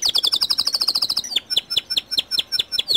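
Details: White canary singing to coax other canaries into song: a fast trill of doubled high notes for over a second, then spaced sharp descending chirps about three per second.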